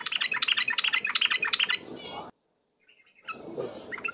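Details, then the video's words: Yellow-vented bulbul lure song, energetic and chattering: rapid bubbling warbled phrases for nearly two seconds, a silent gap, then softer jumbled notes resume. "suara pikat trucuk ropel..super gacor..durasi panjang"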